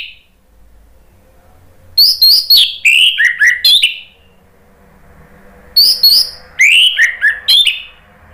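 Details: Two bouts of orange-headed thrush song, used to spur birds into singing, each a quick sequence of high notes dropping into lower slurred whistles, separated by about two seconds of quiet.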